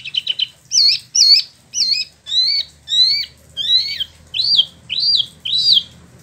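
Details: Spot-throated Babbler, a captive import from mainland China and Vietnam kept in West Java, gives a measured series of about ten loud arched whistled notes, each roughly half a second apart.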